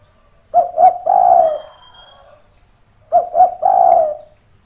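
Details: Spotted dove, its call played to attract other doves down to a rival; two matching phrases of two short notes and a long coo, with a thin whistle from another bird in the gap.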